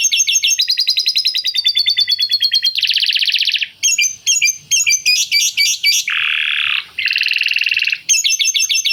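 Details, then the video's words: Canary in full song carrying lovebird-style chatter. Quick high trilled tours give way to a dense buzzy rattle, then a series of sharp separate chips. Another harsh, lower buzzing burst and a trill follow, and the rapid tours return. "Kenari Gacor Panjang Isian Lovebird Ngekek"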